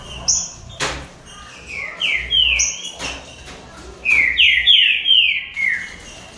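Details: A green-winged saltator sings in a contest among a trio of birds. Its strong whistles slide downward and come in runs of three or four, with high thin notes and a few clicks between the phrases.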